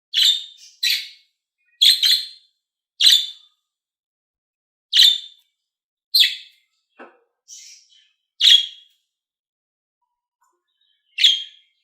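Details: Budgerigar calls meant to stimulate other budgies: short, harsh, buzzy chirps given singly or in quick pairs, about ten over twelve seconds with irregular gaps, plus one faint lower note near the middle, in an otherwise silent background.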